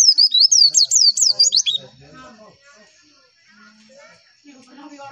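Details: Javan white-eye masteran song intended to make others answer: under two seconds of quick, zigzagging high chirps, then quiet, faint scattered background noises.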